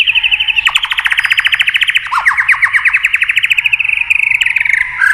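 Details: White-rumped shama prompted by tail-tapping sounds, delivering a long rapid trill of repeated notes, about eight per second, steady and slightly falling, with a brief swoop midway.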